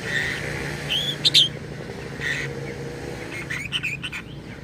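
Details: Lovebird producing strange vocalisations said to copy human speech: scattered thin whistles and a sharp squeak, then a cluster of chattering high notes near the end, with a persistent low hum.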